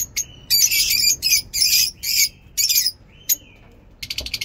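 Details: Lovebirds in a mini zoo giving loud, harsh, buzzy chattering bursts in quick succession, broken by brief gaps, plus a thin whistled note and a run of rapid clicks at the end.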